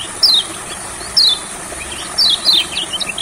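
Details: Olive-backed sunbird in rice fields, a reluctant singer brought outdoors to sing: a few isolated, very high, thin descending trilled notes spaced about a second apart, then softer faint chips, with a continuous high hiss behind.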